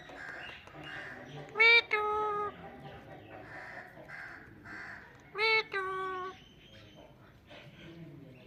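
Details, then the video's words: Indian ringneck parakeet, a talking parrot, making two loud, clear, voice-like calls that each start high and fall briefly, about four seconds apart, over quieter chattering and low background noise. "Funny Talking Parrot"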